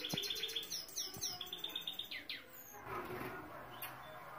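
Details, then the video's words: Saira canary singing, a series of quick high chirps and descending sweeps repeated about four times a second in the first two seconds, then quieter trailing notes over a low background murmur. "سایرہ کناری مست از استاد ضامن/Saira canary singing"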